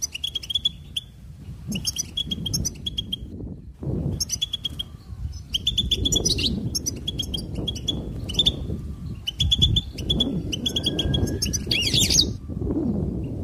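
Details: Goldfinch song: bursts of rapid, tinkling twitters and short trills, high and bright, broken by brief pauses, with a steady low rumble of background noise throughout.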